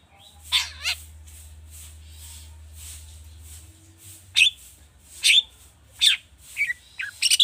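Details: Long-tailed shrike lure song with mimicked phrases, used to get other birds singing: an opening pair of wavering harsh notes, a quiet stretch of low hum, then sharp raspy bursts returning about once per second toward the end.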